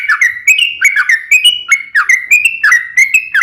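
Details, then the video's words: Sooty-headed bulbul fighting song, used to provoke other bulbuls into singing: bright whistled phrases of short sliding notes, each rising then levelling, repeated roughly every half second with a lively, slightly uneven rhythm. "trucukan gacor SUARA TAJAM TARUNG ROPEL"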